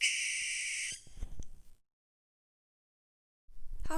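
A barn owl gives a single harsh, hissing screech lasting about a second. A few clicks and thumps follow, then silence and a brief burst of noise.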